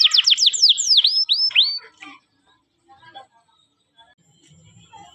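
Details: Kenari paud canary training song: a brief burst of rapid downslurred whistles and a few swooping notes lasting about two seconds, then near silence with faint low rustling.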